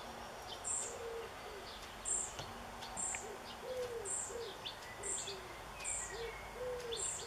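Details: Young European pied flycatcher in a backyard on 7 June 2013, calling for a parent: short, very high thin notes repeated roughly every three-quarters of a second, with low cooing of a dove and other birds behind.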